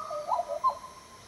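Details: Black Butcherbird, a tropical northern Australian species of the Top End, Northern Territory, giving a rich, fluty phrase of slurred notes that rise and fall over about a second, mellow and mid-pitched, with little else heard.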